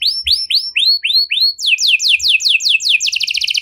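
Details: Canary singing a 'cengkok mewah' (luxurious) song style, used to prompt other canaries to sing: rising whistled notes repeated about twice a second, then quicker sweeping buzzy trills, ending in a very fast rattling roll.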